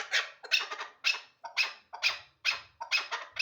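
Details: Hybrid hunting chukar partridge calling in a steady series of rasping, high chuck notes, roughly two a second, each opening sharply and fading, with faint low thumps beneath a few of them.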